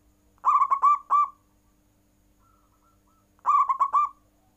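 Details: Zebra dove (perkutut) cooing in full voice, prompting rival birds to call back; two phrases about three seconds apart, each a burst of four quick, throaty, stuttering coos at one steady pitch, otherwise quiet.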